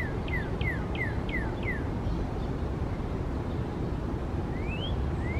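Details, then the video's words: Female northern cardinal singing five quick, clear whistled downslurs in Central Park, New York City, April 2020, then a male answers with two rising slurred whistles over steady low traffic rumble; the male flew to her and they displayed. "A Female Northern Cardinal Singing (and a male too)"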